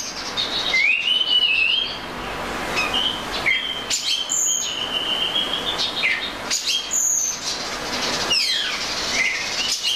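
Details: Oriental magpie-robin singing a melodious run of clear whistles, rising slurs and short trills, phrases separated by brief pauses, with faint background hiss.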